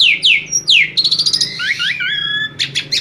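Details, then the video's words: Asian pied starling singing to get other birds singing too: three falling whistled swoops, a fast rattling trill, twisting whistled slurs, then harsh buzzy chatter. "Jalak suren ini PINTAR memikat burung lain AGAR IKUT GACOR"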